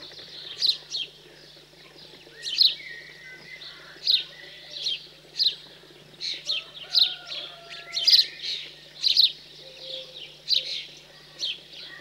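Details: House sparrow fledglings being fed after leaving the nest give loud, sharp chirps about once a second over a low steady hum and faint softer bird notes, cold countryside of central France, 15 June 2020.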